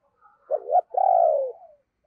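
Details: Deep-voiced spotted dove used as a lure for wild doves, giving a paired hoot then a long, rolling, gently falling coo, with a faint soft note at the close.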